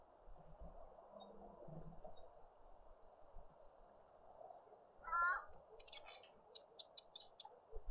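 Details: Garden birds at a feeder in a suburban garden in Pretoria, South Africa: after a quiet stretch of low background hum, a short descending whistle sounds, then a burst of high, thin, rapidly repeated chirps.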